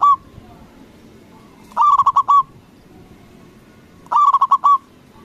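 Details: Loud local zebra dove calling to goad other doves into replying. It gives two full rolling coos of about six quick throbbing notes, roughly two seconds apart, with the tail of an earlier phrase at the start. The background is faint and low.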